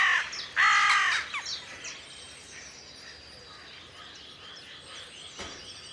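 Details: Western jackdaws calling at a spring sunrise in 2020, recorded on a Sony FDR-AX100: several loud, clipped, harsh calls in quick succession during the first second, then a steady wash of distant high-pitched bird chatter.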